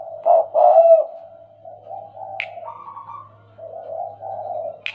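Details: Tame, stuttering spotted dove gives two strong hollow coos, then a long, soft, level cooing phrase, with two brief sharp clicks standing out.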